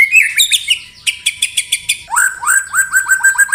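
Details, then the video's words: White-rumped shama 'tembakan rapat' song used as contest training material: loud chattering notes, a series of sharp clicks, then a quick rhythmic run of rising whistled upslurs. "Tembakan Rapat Burung Murai Batu"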